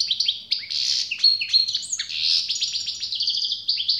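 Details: Unbroken stream of high, tinkling goldfinch twitters and slurred chirps, mixing short clipped notes with a few held whistles and a rapid repeated series near the end.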